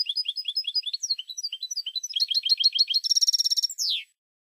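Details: Famous Spanish European goldfinch song recording: rapid tinkling twitter of repeated liquid notes, then a buzzy metallic rattle and a sharp descending slur at the end, with no background noise.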